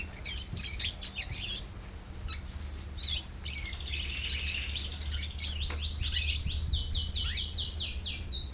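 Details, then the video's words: Panda canary singing in riwikan style: scattered short chirps and twittering notes open, then it builds into fast, evenly spaced high trills repeated rapidly toward the end, over a steady low hum. "riwikan kenari panda"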